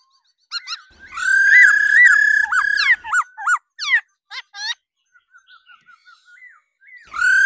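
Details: Female laughingthrush's 'ro ro' to stimulate males: long level whistles with arched overtones, then rapid angular falling notes, a soft series of short quiet chips, and a final loud whistle.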